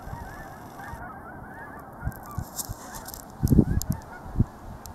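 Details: Geese at a reservoir in Altus, Oklahoma, a flock honking together in a steady, overlapping chorus of nasal calls throughout, with low rumbling bumps of wind or handling noise and a few louder thumps near the end.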